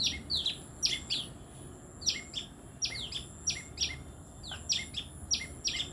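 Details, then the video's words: Tailorbirds (Orthotomus) giving sweet chirps: sharp, high, downward-sweeping notes in quick pairs and bursts, two or three per second, repeated throughout. A faint steady high whine and low background rumble run underneath. "Orthotomus( tailor birds) : enjoy the sweet chirping sound of these birds"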